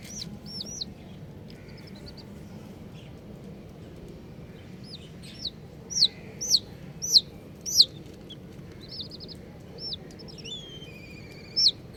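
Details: Colourful baby chickens calling: scattered soft, high arched peeps, then a run of loud, shrill, downward-sliding peeps about every half second, followed by quieter chirps and a final sharp call.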